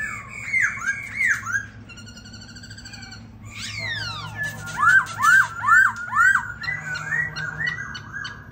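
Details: Caged White-cheeked laughingthrush, singing and dancing: looping whistled slurs, a fine buzzy trill, sweeping descending notes, then about five loud arched whistles repeated roughly every half second.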